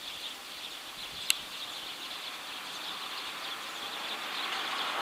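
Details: Eurasian tree sparrows gathered as a flock in a ginkgo tree at evening, their overlapping chirps blending into a steady high-pitched chatter that swells slightly toward the end, broken by one sharp click.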